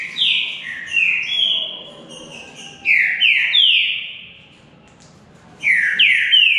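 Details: Green-winged saltator in a singing contest between two birds: loud clear whistled phrases, each note slurring downward, delivered in three bursts separated by short pauses.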